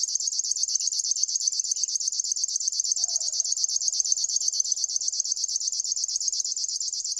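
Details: Continuous mechanical buzzing from a river warbler, rhythmic high pulses at a constant speed, with a faint low sound partway through.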